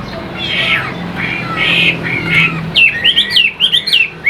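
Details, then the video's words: Chinese hwamei kept in a cage: harsh, breathy squawking notes at first, then a run of bright, bouncing whistled notes repeated in quick succession. "Chim Đẹp Hót Hay"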